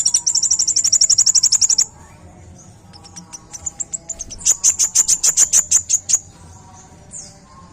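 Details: Sunbird used as a song-tutor recording for training cage birds: very high rapid trills, bursts of evenly repeated sharp notes lasting about two seconds, separated by short gaps with softer scattered chirps.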